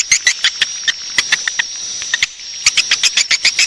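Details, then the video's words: Swiftlet calling sound used as a lure to make swiftlets roost: scattered short high chirps in loose runs, a brief pause, then a quicker burst of twittering notes over a steady high whine. "Suara Walet Panggil Cepat Super Inap"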